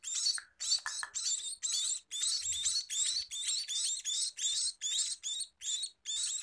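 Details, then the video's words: Steady stream of sharp, scratchy high chirps from a scaly-breasted munia, bursts following each other about twice a second with a few brief low knocks behind. "Meloloh Burung Emprit Peking!!"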